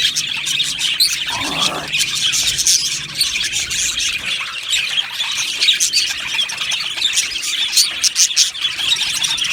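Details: Australian budgies in a colony aviary, singing and chirping. Unbroken high scratchy warbling from many birds; a brief lower sliding sound near the start cuts through the chatter.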